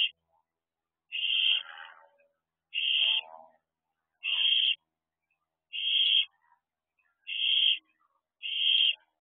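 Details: Owlets staying at a house owl box on an evening in June 2023, 8:20 pm: evenly spaced raspy hissing calls, six bursts about every one and a half seconds, quiet background.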